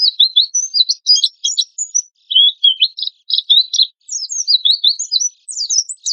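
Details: Energetic Oriental white-eye lure song in the harsh 'tembakan kasar' style: varied high twittering phrases of quick chirps and slurred whistles, broken by brief pauses, with no other sounds.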